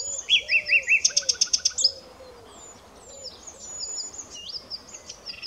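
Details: Common nightingale phrase: a few rising notes lead into a rapid run of about ten sharp, evenly spaced pulses. Background birds then keep up soft, scattered chirps.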